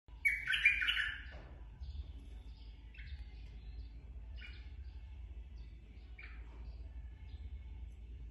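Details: Straw-headed bulbul, a forest-caught adult ('bapak hutan'): one loud rich bubbly warble burst, followed by several short, quieter, fluty phrases spaced about a second apart over steady low background rumble.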